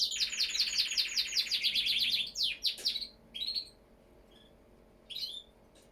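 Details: Canary song opening with a rapid rattling trill of repeated notes, followed by a few separate sweeping chirps with short pauses between them.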